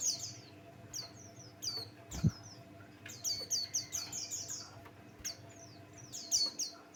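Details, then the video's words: High, rapid song from a Buxtoni white-eye used as a lure to make other birds sing: tumbling chains of down-slurred chirps, pausing briefly, with one low thud early on. "Burung pleci Buxtoni pancingan bikin geger"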